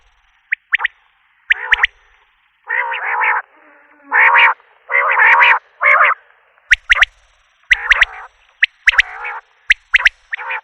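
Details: Common quail (Coturnix coturnix): sharp clipped notes in quick triplets near the end, after several longer, lower, harmonic blaring notes repeated about once a second.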